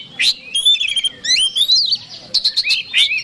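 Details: Provoking song of an Oriental magpie-robin meant to rile a rival: a few seconds of sweet upward-sliding whistles mixed with short sharp chips and a buzzy trill, loud and clear.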